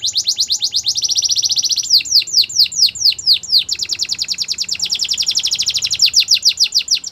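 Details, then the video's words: Canary training song: long fast rolling trills of high notes, broken by a run of broader sweeping syllables, then the rapid trill resumes almost without pause. "The best canary sounds | Canary song for training"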